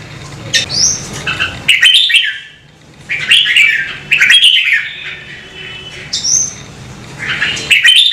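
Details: Red-whiskered bulbul kept as a songbird and stimulated to sing, delivering several rich, rolling whistled phrases with high thin upslurs between them, some brief sharp clicks, and a steady faint hum.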